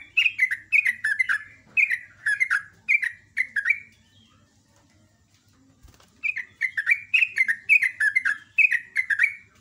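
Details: Sooty-headed bulbul (trucuk) singing in the morning, a vigorous rapid 'ropel ngecruk' style: two bursts of bubbly, descending chirped notes, about seven in quick succession, separated by a short pause. Faint low hum beneath.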